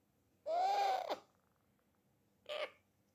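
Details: Pet parrot making funny noises while eating: one drawn-out nasal, harmonic note holding steady then dropping, followed after a pause by a short rough burst, in a quiet indoor setting.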